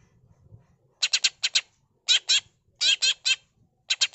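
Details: Greater green leafbird (cucak ijo) in full-isian singing: fast clusters of rasping, chattering notes in groups of two to four, separated by brief pauses, after a faint low rumble at the start.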